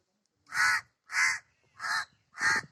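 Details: Crow giving four harsh, hoarse caws spaced about half a second to 0.6 seconds apart, each short and evenly loud, with a quiet background.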